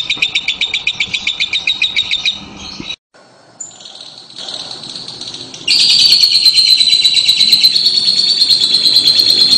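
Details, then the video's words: Lovebird giving a long ngekek trill; fast pulsed high chirps at first, a brief gap, then a sustained, dense, buzzy high trill that runs on for several seconds to the end. "LOBET SEDANG NGEKEK PANJANG"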